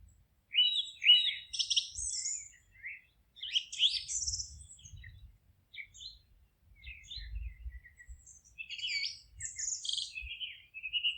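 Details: Birds singing in a forest with busy, high twittering and sharp chirps in irregular bursts, about two notes a second, over intermittent soft low thumps.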